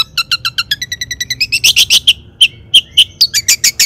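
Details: Long-tailed shrike song of the "toet toet" kind, played to provoke other shrikes to sing: an accelerating train of even chips that grows into loud harsh bursts, then a few single clear notes and a fast closing series.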